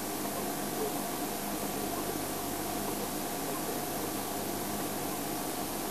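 Steady broadband hiss with a low mechanical hum, like an air conditioner or engine, and no animal calls.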